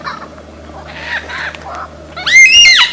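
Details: Australian forest lyrebird in a mimicking bout. Soft, rough chattering notes come first, then a loud, rich, arched call with several stacked tones that rises, holds and drops.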